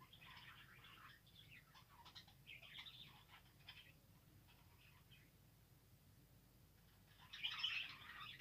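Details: Australian parrots chattering: bursts of faint, scratchy, high warbled chirps in irregular runs, a pause mid-way, then a louder burst near the end, over a steady low hum.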